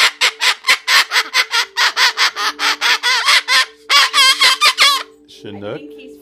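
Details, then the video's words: A pet Moluccan cockatoo lets out a fast run of loud, harsh cackles, about five a second, like manic laughter. A steady hum runs underneath, and a voice follows at the end. "Moluccan Cockatoo: Chinook maniacal laughter"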